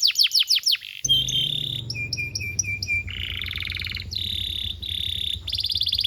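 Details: Canary tutor song for young birds: a quick high trill, then steady whistled tones and buzzy rolls over continuous low rumbling noise.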